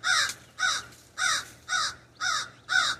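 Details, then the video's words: Raven perched in an ash tree in a backyard, filmed from a sunroom window: six harsh, hoarse caws in steady succession, about two each second, over a low background hum. "The Distinct Call of the Raven"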